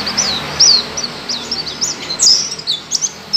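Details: White-eye giving high, thin twittering notes in short irregular bursts, slurred and wavering, over a soft steady background hiss.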